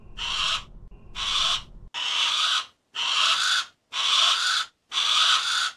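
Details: Harris's hawk giving harsh, raspy, broadband screeches about 0.6 seconds long, repeated roughly once a second in a steady series, with a faint low rumble under the first two calls.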